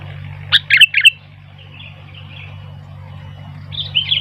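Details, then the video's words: Sooty-headed bulbul singing as wild bulbuls gather and call. Three or four sharp, bright chirps come close together, then faint far-off warbling and a closing chirpy phrase, with a steady low hum behind. "Burung kutilang gacor ..sampai kutilang liar jadi ramai"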